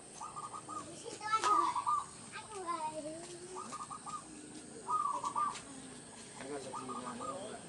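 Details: Zebra dove of a local strain, song played as a trapping lure in countryside surroundings: brief rolling coos repeated a few seconds apart, with sliding calls of other birds between them.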